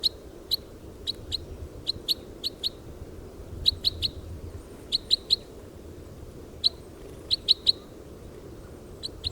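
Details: A Red Crossbill recorded in the wild gives sharp, high 'kip' notes, singly or in quick pairs and triplets at uneven intervals, over a low steady rumble.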